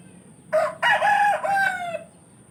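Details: A rooster crows in the village, opening with a brief harsh note, then a loud, grating, drawn-out crow in several linked parts, ending with a slight downward slide, over quiet background hum.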